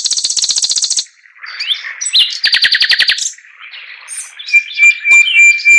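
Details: Chinese hwamei in chattering song: a fast high rattle, short twittering notes, a burst of rapid repeated whistles, then a thin sustained high whistle among scattered chips.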